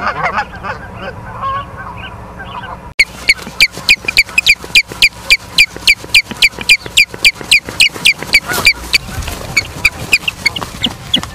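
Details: Osprey at its nest in Charlo, Montana, 9 September 2023 at 18:51, live nest camera: after a few seconds of low honking, a long, fast, even run of shrill whistled chirps, about three or four each second.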